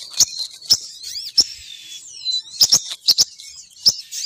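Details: Female sogon bird lure call drawing males to descend: busy high-pitched chirping and twittering with bright squeaky notes and sharp clicks repeated irregularly through the phrase.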